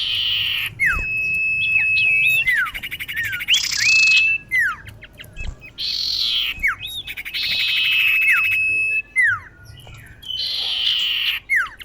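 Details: Female common iora calling a male, used as a lure: a long level whistle broken by sharp downward-slurred notes, with bursts of harsh buzzy rasping between them. The pattern repeats several times over twelve seconds against a quiet background.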